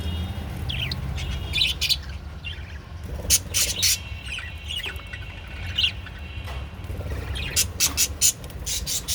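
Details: Japanese budgerigar family calling together, quick chirps and squawks about four a second in uneven runs, with sharp clicking bursts between warbled notes over a low steady hum.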